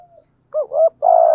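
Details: Spotted dove cooing from a lure recording of male and female birds with thúc gù and gáy gọi phrases, meant to stir trained doves. A soft fading note, a gap, then three close, mellow, low coos.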